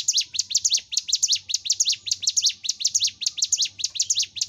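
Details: Ciblek gunung, the bar-winged prinia, singing a gacor masteran song for training caged birds: quick series of sharp, high, downward-slurred chirps in close clusters, repeated continuously with a brisk, even rhythm.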